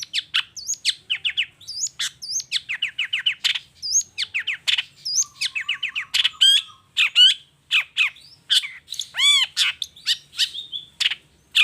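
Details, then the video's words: Long-tailed shrike in full, energetic 'toet toet' song used as a lure to provoke other shrikes: a fast, varied run of sharp chirps, squeaky whistles, harsh notes and ringing upslurred calls, delivered almost without pause and fairly irregular. "Suara Cendet Gacor Toet toet"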